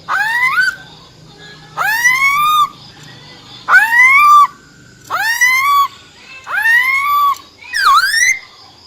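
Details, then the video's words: Wild-type song from a female silver-eared laughingthrush, meant to rouse males: six loud, rising, harmonic phrases, each sweeping upward then levelling off, spaced about every one and a half seconds. "Tiếng Chim Khướu || Khưới Mái Bạc Má RO RO || Giọng Rừng Hót Chuẩn - Kích Trống Lên Lửa Cực Nhanh"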